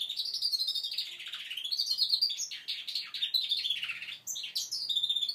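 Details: Young goldfinch mule aged five months practising its song, a continuous run of bright twittering notes and downward slurs, with a brief high trill near the end.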